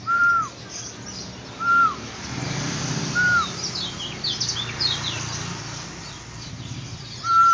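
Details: Yellow-eared spiderhunter giving a clear, slurred whistle that rises slightly then falls, repeated about every one and a half seconds over a steady hiss of background noise.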